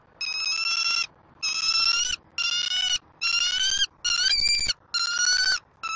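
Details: Bald eagle eaglet, Southwest Florida nest, 5 February 2024, excited over fish brought by its parents. Six long, piercing, ringing whistled squeals with rich overtones, delivered nearly back to back with short gaps.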